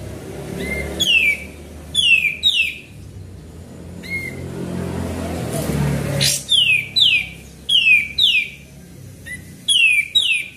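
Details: Sooty-headed bulbul song played as a lure: clusters of two or three downward-sliding whistles, separated by pauses, with a stretch of low rumbling noise in the middle.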